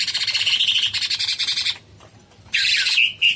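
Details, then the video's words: Cucak cungkok bulbul singing vigorously: a rapid run of harsh, buzzy pulsed notes for almost two seconds, a pause, then another loud chattering burst ending in short clear whistles. "Suara burung cucak CUNGKOK gacor"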